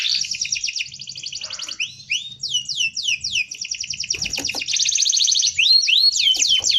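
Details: Canary song meant for tutoring young birds, a dense rolling style: fast buzzy trills alternate with sweeping downward whistled notes, then a long rapid rattle and a few looping upslurs near the end.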